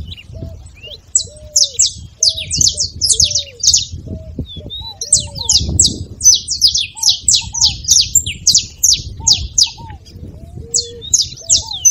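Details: Saffron finch song, offered to warm up and stimulate a quiet canary into singing: bursts of rapid, sharp high chirps in tight runs with short pauses. Softer, lower slurred whistles sound beneath, along with faint low background rumble.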